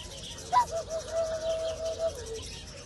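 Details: Black-necked swan breeding pair in a happy mood: one soft, steady whistled note, briefly higher at the start, then held level for almost two seconds before fading lower.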